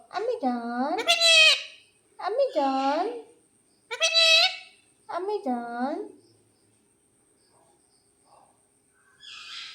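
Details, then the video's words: Pet parrot at home waking the family in the morning; four loud, harmonic, speech-like squawking phrases come in quick succession over about six seconds, followed by near silence and a faint rustle at the end. "प्यारा तोता क्या बोलता है"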